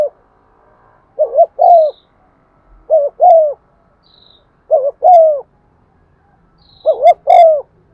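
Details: Spotted dove used as a lure, cooing steadily to provoke other doves: four phrases, each a quick double note and a longer drawn note, spaced about every two seconds, with occasional faint high chirps.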